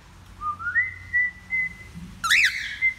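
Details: Whistled practice by a male cockatiel learning to sing: a pure tone climbs in small steps and holds a long flat note, broken by a loud upswept chirp rich in overtones, then a steady whistle resumes; soft indoor hum beneath.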